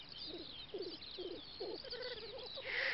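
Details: Black grouse lekking on a spring field in Western Russia's Volga federal district, 9–10 May 2019: faint, low bubbling notes come in short rolling bursts about every half second, with distant higher bird calls above.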